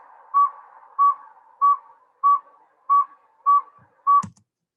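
A Northern Saw-whet Owl gives a steady series of seven short, clear whistled toots at a mid pitch, about one every 0.6 seconds. A brief click follows at the end.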